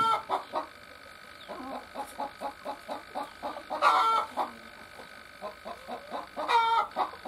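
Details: Hen laying an egg clucks steadily, roughly three times a second, broken by two loud, strained, higher cries. A constant electrical whine runs through the background.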